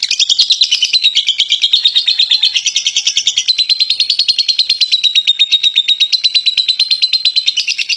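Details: Champion contest lovebird giving its long 'ngekek' chatter: a continuous, rapid, high-pitched trill of evenly spaced notes, about three per second, kept up without a break for the full eight seconds.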